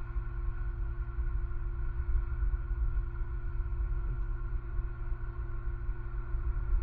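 A continuous deep engine-like rumble with steady droning tones throughout, with no animal calls.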